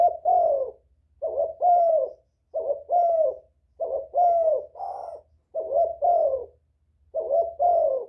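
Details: Spotted dove cooing to attract other doves. Rhythmic two-note coo groups, soft and breathy with a slight downward slur, repeat about every second and a half.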